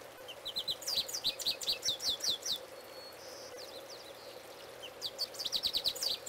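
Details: Singing male goldfinch, recorded close by: bursts of rapid, high twittered notes and sweet chirps, a pause with a thin single note, then another lively twittering burst, above a constant low hum.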